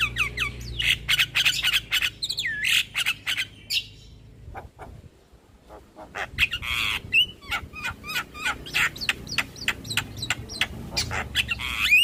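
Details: Javan myna song used as a lure for stressed birds that have gone quiet. A rapid chatter of clicks and upward whistled swoops pauses briefly near the middle, then resumes as dense clicking with rising whistles.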